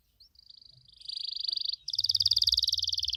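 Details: Canary in varied 'cengkok mewah' song, meant to trigger answers from other canaries: a high steady buzzy trill, then a louder, faster rolling trill with a faint low hum behind.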